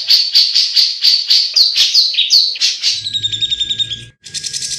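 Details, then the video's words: Grey-cheeked bulbul in lively, clear ngebren song for training other birds: quick bright repeated notes that speed into a dense buzzy trill, with a brief gap before it resumes. "Cucak Jenggot Gacor Ngebren dan Jernih"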